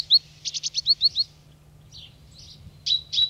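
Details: Great Tit (Parus major) in France gives a rapid run of about eight sharp, high chirps, then a few softer buzzy notes and two more clear ones over a faint low hum.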